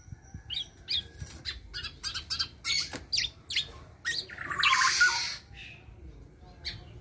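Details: Local black-naped oriole just past its spotted juvenile plumage, giving irregular quick chips and short squeaky notes, about three per second, broken by one extended harsh hissing rasp.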